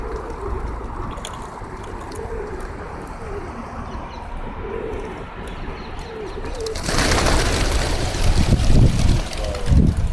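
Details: A flock of free-living, unowned feral pigeons by a roadside in Oman coo in soft, low, rolling phrases, then a loud rush of traffic noise takes over.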